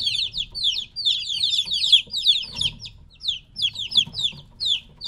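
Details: Three-week-old chickens separated from their mother, calling noisily: a dense chorus of high, downward-slurred chirps repeated rapidly and overlapping, with brief gaps near the middle and a faint low rumble beneath.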